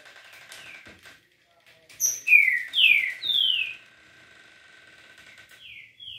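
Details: Green-winged saltator, locally trinca-ferro, singing a smooth liso-style song: a few loud clear whistled notes, each sliding downward, delivered in quick succession and then stopping, with a faint steady background hum.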